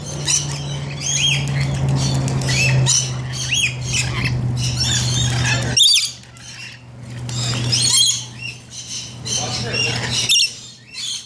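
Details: Rainbow lorikeets taking a bath, giving harsh, high squawks and screeches in irregular bursts, with a brief quiet gap midway, over a steady low mechanical hum.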